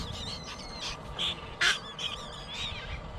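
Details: Young bird begging for food: brief high wavering cries and a couple of louder, harsh squeaky bursts in quick succession, with steady low background noise beneath.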